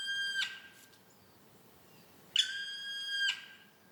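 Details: In a forest where the black woodpecker's drumming heralds spring, a black woodpecker gives two high, steady, nasal whistled cries, the first short and the second drawn out for about a second.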